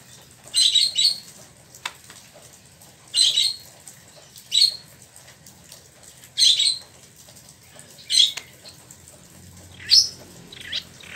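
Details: Spot-throated babbler (Wambi Mini), a captive bird in Bandung, Indonesia, imported from China and Vietnam and newly finished moulting, gives brief high chirpy bursts about every one and a half to two seconds, six in all, over a faint low hum.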